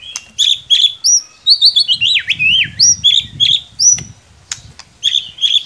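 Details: White-rumped shama, a cage bird, delivering a rich varied song of high whistles, quick chirps and swooping slurred notes in rapid bursts, with clicking sounds between phrases.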